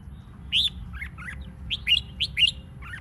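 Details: Red-whiskered bulbul singing in a competition-style recording meant to stimulate other birds to sing: short, bright, whistled notes, some rising and some falling, delivered in quick bursts of about two to three notes over low background hum.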